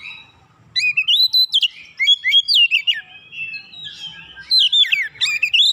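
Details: Oriental magpie-robin song for provoking other magpie-robins to sing. Clear whistled notes sweep up and down in fast, varied phrases, sometimes sustained, with a brief pause before a final lively burst.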